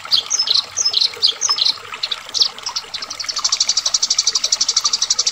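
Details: Fighting Eurasian tree sparrows, opening with paired, uneven high chirps in small bursts, then settling into a fast, regular stream of sharp notes roughly four each second.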